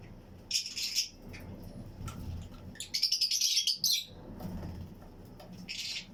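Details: Fischer's and Lutino lovebird pairs chirping together in a colony flight aviary: three bursts of rapid, shrill twittering chirps, the middle one a quick run of repeated high notes, over faint low hum.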